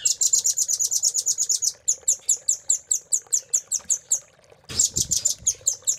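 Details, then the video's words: Velvet-fronted nuthatch (rambatan paruh merah) master song in the 'isian cililin' style, used for training caged birds: fast runs of sharp high chips about eight per second, a short break, then another rapid burst. "RAMBATAN GACOR ❗️Isian Cililin❗️Masteran Rambatan Paruh Merah"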